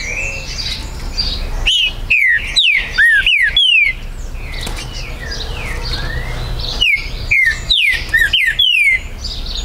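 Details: Green-winged saltator, territorial, held by a registered breeder in Brazil, recorded 19 September 2020; two bursts of loud clear whistled phrases, each note slurring downward, with a pause of faint background birdsong between them.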